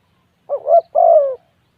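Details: One spotted dove phrase: a short wavering coo followed at once by a longer, smooth, gently falling hoot, clear and close.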